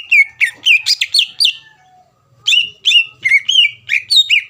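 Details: Greater green leafbird, a caged bird, singing to incite a rival to answer: quick series of looping whistled notes, a one-second pause, then more fluted whistles with sharp flicks and slides.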